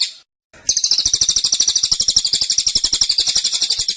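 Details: Cililin, or Black-winged Flycatcher-shrike, kept in a cage, pours out a dense 'tembakan' song: after a short pause, a continuous shrill trill of rapid pulses, roughly four per second.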